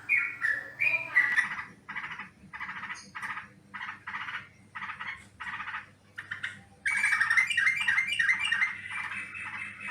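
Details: Sooty-headed bulbul calls used as a lure for trapping birds: harsh, chattering bursts repeated about every half second, then a louder, richer run of bubbly notes near the end over a low steady hum.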